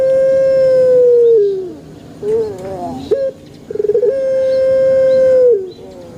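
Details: A pelung chicken in a banana garden crows a long flat note that falls away, wavering middle notes, then a stuttered onset leading into a second long, steady tone that drops at the end.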